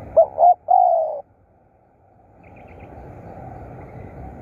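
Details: Spotted dove kept as a decoy, one loud phrase of two quick hollow notes and a longer falling coo, then quiet outdoor background with faint distant chirps.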